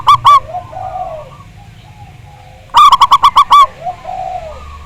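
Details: Zebra dove lure song from a local Javanese bird with a big voice: two quick notes, a pause filled with soft low cooing, then a tight rapid string of about seven bright staccato coos.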